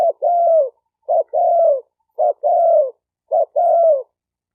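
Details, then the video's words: Steady low coos of a spotted dove for training newly caught birds, four phrases in quick succession, each a clipped opening note running into a smooth, level then gently dropping coo; no other sound present. "Tiếng chim cu gáy tập bổi chuẩn nhất chim hay"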